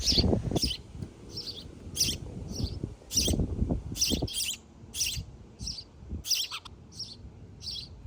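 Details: Parent sparrows feeding their chicks: piercing, high chirps repeat in quick bursts while low thumps and fluttering sounds, like wingbeats, rise and fall beneath them.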